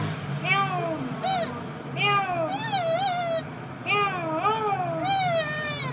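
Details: Green parrot talking in wavering, speech-like phrases: harmonic notes that bend up and down, in two bursts of several linked syllables over a low background hum.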